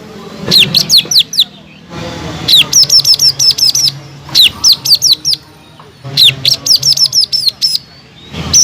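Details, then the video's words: Greater green leafbird in captivity sings rapid runs of high, sharp, downslurred notes, grouped into bursts of five to ten notes with short pauses between. "PANCINGAN CUCAK IJO GACOR EFEKTIF MENAIKAN EMOSI CUCAK IJO MACET BUNYI"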